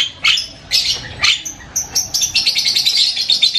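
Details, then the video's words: Javan myna chattering loudly in varied sounds: harsh, scratchy bursts, then a quick run of bright, clipped notes about eight a second, with no other sounds. "SUARA JALAK KEBO NGOCEH KERAS BERBAGAI VARIASI BUNYI"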